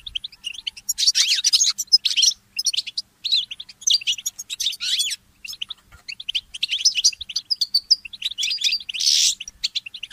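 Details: Goldfinch hybrid mule in early-morning song: fast, high-pitched twittering phrases with sliding whistles and a brief buzzy trill, separated by short pauses. The background is clean.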